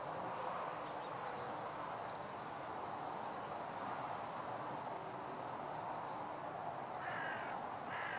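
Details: Crows in conflict with a northern goshawk, recorded 4 April 2016, break out near the end into harsh, hoarse caws, two rough bursts over a steady hiss of outdoor background noise.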